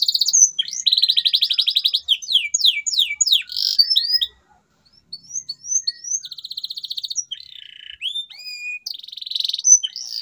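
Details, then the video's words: Canary song played to stimulate silent canaries to sing again: rapid trills and rising whistled sweeps high in pitch, fast buzzy rolls alternating with upslurred notes, a brief pause midway, then further trilled phrases. "CUITAN KENARI 100% GACOR PERANGSANG KENARI BISU AGAR KEMBALI GACOR"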